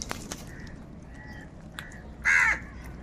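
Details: A single loud, harsh crow caw rings out late in the recording, preceded by faint thin calls of other birds and quiet background noise.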